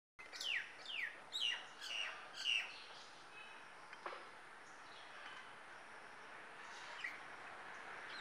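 Common myna giving a quick run of five sharp, downward-sliding chirps in about two seconds, then one lone chirp later over a steady background hiss.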